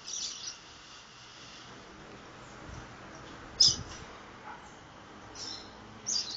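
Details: Young caboclinho seedeater, 60 days old, learning the do-re-mi song style; short, very high chirps come in scattered bursts, one early, one loud note near the middle and a pair at the end, over a steady background hiss.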